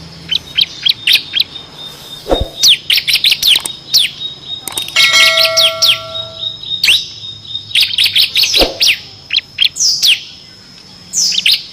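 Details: Bar-winged prinia singing for training competition songbirds, in the rapid ngebren style with six variations; a busy jumble of high sharp chirps and quick notes, with a few steady ringing tones and a soft thud in between.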